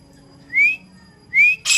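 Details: Grey francolin (teetar): two clean upslurred whistles about 0.8 seconds apart, the second followed at once by the start of a loud harsh note, with nothing else heard.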